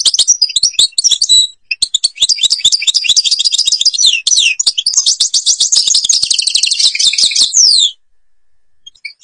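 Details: Algerian European goldfinch delivers a long, continuous run of liquid twitters and rapid rattling trills, with a brief pause early on and crisp clicks mixed in, ending abruptly in near silence.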